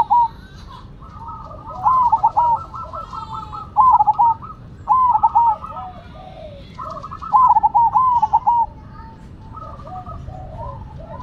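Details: Two zebra doves, a Cemani and a Silver, singing against each other: long runs of overlapping rolling, stuttering coos, phrases alternating and layered, with faint high chirps from other birds in the background.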